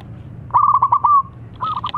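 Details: Zebra dove song that gets rival doves answering: a quick stuttering string of clear whistled notes ending in a held tone, followed by a softer, shorter second phrase.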